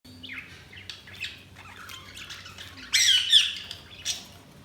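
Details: Pet budgerigars chirping: a run of bright, scratchy warbled chirps and squawks, building to a louder burst of chatter near the end, with a faint low hum underneath.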